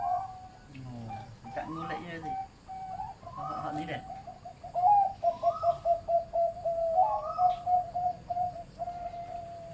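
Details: Zebra dove from a breeding farm, medium-pitched voice, delivering a long rapid train of short cooing notes at a steady pitch, preceded by clicks and human speech in the first seconds.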